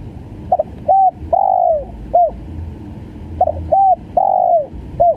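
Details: Spotted dove, known locally as tekukur, giving its full stuttering call style called gagap, used for bird-lure practice: low hollow coos in a rolling phrase of short notes, a long drawn coo and a clipped final note, repeated twice over steady low hum.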